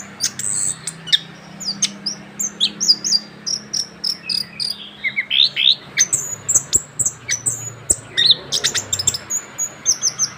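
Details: A freshly moulted young orange-headed thrush rolls on in unbroken song, mixing high whistles, buzzy chirps and sweeping slurred notes in rapid varied phrases, with a soft low hum underneath.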